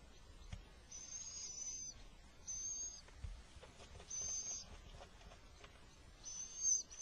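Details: Little owl in spring, with the male managing to bring food during an attack; four high, hissing screeches of about half a second to a second each, spaced irregularly, over faint low rumbling background noise.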